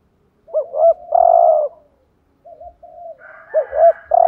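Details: Spotted dove cooing 'thúc gù' style as a decoy for other doves: a looped double coo and a long buzzy coo, a pause, soft coos, then the loud double coo again and another long note.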